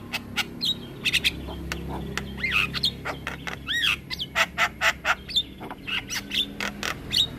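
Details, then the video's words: Black-winged myna in lively full song, a long rolling sequence for training other mynas: dense harsh chatters, clicks and squawks mixed with whistled upslurs and downslurs, steady low hum beneath. "Jalak Kebo Gacor Ngeroll Panjang Cocok Untuk Masteran Segala Jenis Burung Jalak"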